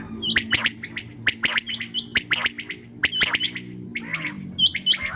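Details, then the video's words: Night calls of common quail: rapid sharp notes in repeated triplets, mixed with short higher hooked whistles, busy and overlapping throughout. "QUAIL SOUND||بٹیر کی اواز||NIGHT SOUND||RAAT KI AWAZ"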